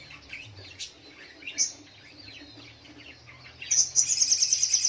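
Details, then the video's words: Sogok ontong singing in the morning: scattered high chips and twitters, then a fast, bright, even trill of rapidly repeated high notes at the end, over a low steady hum. "Suara Burung Sogok ontong di pagi hari"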